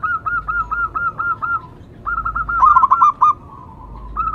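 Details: Zebra dove of a local strain (perkutut lokal), a lure and prompting bird, delivering evenly spaced soft coos, a pause, then a louder stuttering run of notes fading into a sustained low hum before one final coo.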